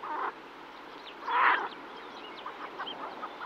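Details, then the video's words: A female yellow-billed pintail, close up, calls to her ducklings with a short, harsh quacking burst after a softer call; a songbird twitters faintly in the background. "Yellow-Billed Pintail. MCU Female Calling To Ducklings With MCU Songbird."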